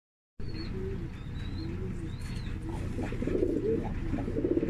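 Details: Black qatayef tumbler pigeons giving low, throaty cooing phrases that rise and fall, repeated several times over a steady low background hum, with a few thin high whistles above from another bird.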